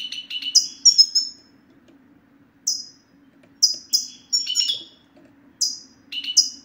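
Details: Male European goldfinch giving 'sitsta' twittering, a recording used to prompt silent male goldfinches into song; bursts of high, sharp, descending chirps and tinkling notes in short clusters separated by pauses of about a second, with a faint low hum behind.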